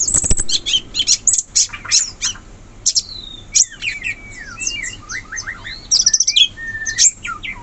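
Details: Sooty-headed bulbul in the wild forest, giving a run of quick slurred whistled notes that bend up and down in the middle of the clip, over busy, thin, high chirps from other birds and a brief knock at the start.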